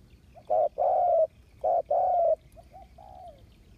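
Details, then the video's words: Spotted dove used as a ground decoy to entice wild doves, August 2021: two strong short-long coo phrases followed by a quieter, trailing, slightly falling coo. "Tiếng chim cu mồi đất cực sung hiệu quả kích mồi"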